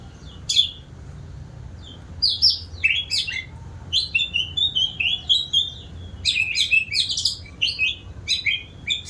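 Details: White-rumped shama, an active singer, giving varied high whistled and chattering phrases in bursts, short pauses between groups, with a faint low hum beneath.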